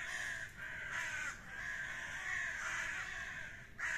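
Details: Common ravens in a fight, calling almost without pause in long, coarse, rasping cries that dip briefly before rising again, with a final loud harsh burst at the end.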